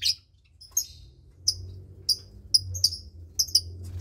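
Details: Twenty-day-old lovebird chick in a nest of two, parents Parblue Turquoise and Euwing Blue Opaline; short sharp high chirps spaced about every half second to second, over a low background hum.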